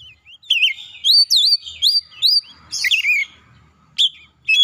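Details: Oriental magpie-robin singing, used daily as a trigger for a stressed untrained bird: bright wavering whistles that loop up and down, a short harsh burst near the middle, then isolated sharp notes.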